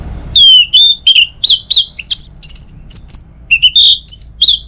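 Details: Morning song of an Orange-headed thrush, meant to encourage other birds to sing: a continuous, fast string of loud, clear whistled notes jumping between high pitches, some rising and some falling.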